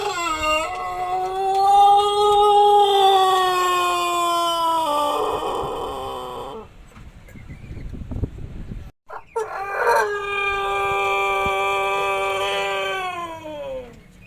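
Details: Pelung rooster after a throat illness (ngorok) with mucus that altered its crow gives two long, drawn-out crows, each ending in a rough, hoarse rasp.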